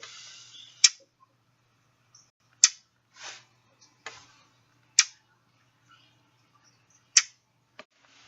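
A Brown Thrasher gives loud, sharp smack calls, dry clicking notes repeated about every two seconds, with a few softer rustly sounds between them.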